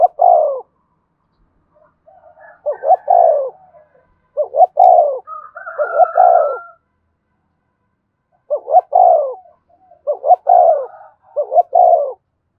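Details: Spotted dove kept as a lure to excite a newly captured caged male: several deep, gentle coo phrases, each a few clipped notes and a falling drawn-out coo, spaced by pauses of one to two seconds, nothing else audible.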